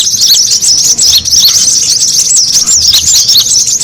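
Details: Brown-throated sunbird lure call, busy and noisy, used to draw birds in: dense, rapid high-pitched twittering and squeaky chirps that overlap without pause for nearly four seconds.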